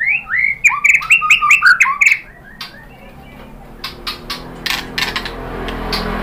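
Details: White-rumped shama song used to provoke other shamas into singing: a quick run of bright, chirpy, repeated notes for about two seconds, followed by quieter dry clicks and ticks.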